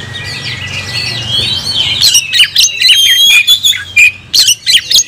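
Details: Caged kacer (oriental magpie-robin): a softer, blurred opening of notes, then loud sharp whistles and rasping chirps arrive after two seconds in quick irregular bursts.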